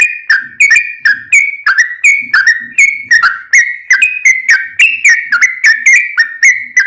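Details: Long rambling song of a Sooty-headed bulbul, used as a lure to make other bulbuls answer: rapid, bubbly whistled notes around the same middle pitch, each with a sharp click-like onset, tumbling on continuously with no pauses.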